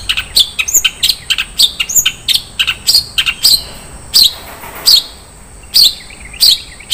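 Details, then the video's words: Long-tailed shrike giving isian mewah, a richly filled song: fast series of sharp high chips and varied squeaks, dense at first, then spaced about one every half second. "SUARA BURUNG CENDET - ISIAN MEWAH"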